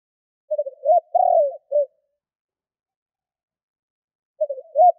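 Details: Single full spotted dove 'kích bổi' lure phrase of rapid low coos, a prolonged falling coo and a brief last note, then silence until the next phrase begins near the end.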